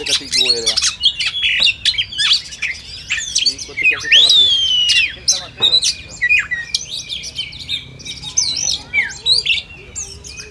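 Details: Kacer, the oriental magpie-robin, singing in a contest simulation: a long run of clear rising whistles, sliding notes and rapid twittering mixed with rasping squawks, with other birds chirping behind.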